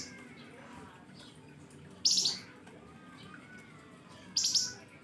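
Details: Flamboyan bird in a fiery lure song, giving two short, loud, very high chattering bursts about two seconds apart over a quiet background with faint thin whistles.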